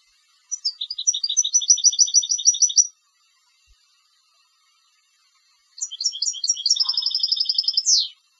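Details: Competition European goldfinch delivering two bright song phrases separated by a few seconds of silence, each a quick run of high repeated tinkling notes, the second ending in a descending slur.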